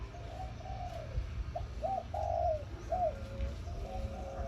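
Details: Caged male zebra dove kept as a decoy bird, singing in the morning in the 'khan yon' song style: a run of mellow coos and short rolling notes, some rising then trailing down, with steady low background rumble.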